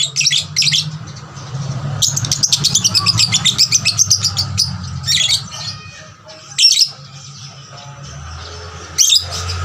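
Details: Hard-singing lovebird used as a lure to excite other lovebirds into song; an extended rapid chattering trill of shrill, high notes lasting several seconds, followed by scattered sharp chirps, with a low hum underneath.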